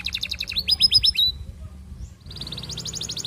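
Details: Courting canary song meant to lure other canaries into singing: a rapid high rattle turning into clear whistled notes, a short pause, then a long, fast, steady trill.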